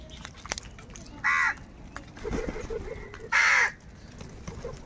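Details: Crows fighting for food: two loud harsh caws about two seconds apart, against a noisy background with rustling and knocks.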